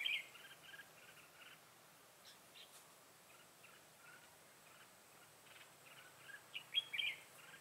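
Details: Red-whiskered bulbul decoy singing a fighting song to lure wild bulbuls into a trap, 25 September 2018; bright warbled phrases around mid-high pitch, faint early then louder bursts near the end, over a steady outdoor hiss.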